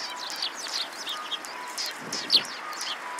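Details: Sparrows gathered at food at a Tenmangu shrine, 28 December 2016, give quick, sharp high chirps in a loose, uneven series, several birds overlapping, with a soft low hum beneath.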